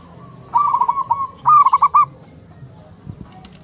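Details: Morning calls of local zebra doves answering one another: two short trilled coo phrases in quick succession, the second louder, with brisk pulsed notes, then quiet.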